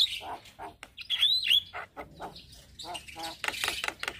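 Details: Tutor and lure song of a male Javan myna in the morning: scratchy notes, a few thin high whistles, then dense buzzy chatter.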